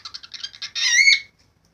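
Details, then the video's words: White cockatoos calling: a rapid run of short chattering notes rising into a loud, drawn-out harsh screech that ends abruptly. "White cocktail parrots|| beautiful parrots|| parrots voice"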